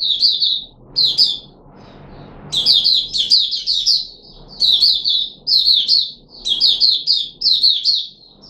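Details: Captive red-whiskered bulbul called Puteh Raja, 13 April 2021, after fruit juice and a mealworm: lively bubbling phrases of three to five whistled notes, repeated about every second, over faint indoor rumble.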